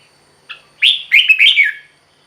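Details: A single red-whiskered bulbul phrase, played to excite caged birds: one soft note followed by a rich, rolling run of warbled whistles lasting about a second.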